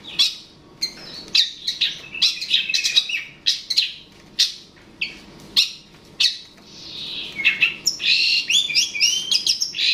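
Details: Rival-provoking calls of a long-tailed shrike: irregular bursts of rasping, buzzy high chirps and sharp notes, growing denser and more continuous toward the end.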